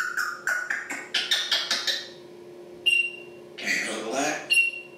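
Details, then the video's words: African grey parrot mimicking speech and noises: a quick run of seven chattering, speech-like syllables, then a clear electronic-style beep, a harsh squawky burst and another beep. "african grey parrots talking and making noises and swearing"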